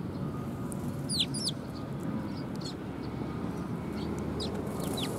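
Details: Sparrows coming to be fed at a Tenmangu shrine on 18 December 2020: short, sharp descending chirps, a quick cluster early on, then scattered single chirps, over a steady low rumbling background.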